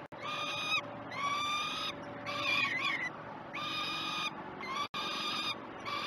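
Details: Peregrine falcons being fed breakfast on the Great Spirit Bluff nest cam, June 2018; harsh wailing calls about a second long, one with a wavering chatter, separated by brief silences.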